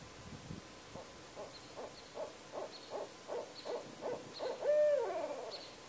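A barred owl gives a quickening series of low, gruff hoots ending in a drawn-out, slurred, downward note, with faint high chips from another bird.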